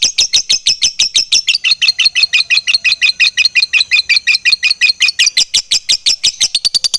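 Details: Fighter lovebird in full voice, a long ngekek chatter with tight gaps: rapid, even, high-pitched pulses about three per second, running unbroken for seven seconds, slightly rising toward the end.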